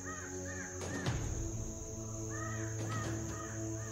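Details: Several crows at Amaramkavu, Kerala, mobbing a Crested Hawk-eagle perched in a tree, give harsh, arched caws in quick succession, five or so in four seconds, over a steady low background hum like music.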